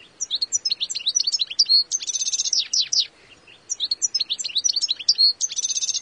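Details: A European goldfinch calls in two bright bursts of high, twittering notes mixed with a fast buzzy trill, each bout about two and a half seconds long, separated by a brief pause.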